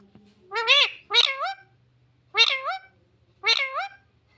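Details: Talking parrot imitating "mummy papa": four distinct voiced syllables in two pairs, each bending up then down in pitch like human speech, clearly separated by a short gap, with faint low hum behind.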